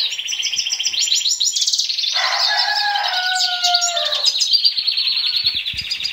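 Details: In breeding condition, a caged male European goldfinch that has mated with canaries sings a dense high twitter of trills and chirps; a lower, steadier whistled tone runs beneath it midway before the rapid twittering resumes.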